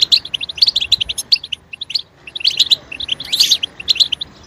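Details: Goldfinch singing used to stimulate another goldfinch: lively runs of bright chirps and liquid twitters in two main bursts with a short pause between, over light background noise.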